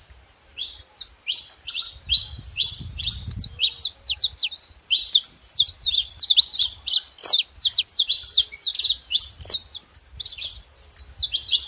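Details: Saffron finch chirping steadily for almost twelve seconds: a crowded sequence of crisp, high, slurred tweets, roughly three a second, with a soft low rumble early on.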